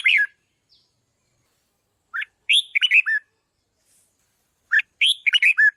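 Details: Red-whiskered bulbul singing, played to stimulate decoy birds and train loud singing: three bright, bubbly phrases of quick warbled notes, the first a lone slurred burst, the later two longer and chattering, separated by silent gaps of about two seconds.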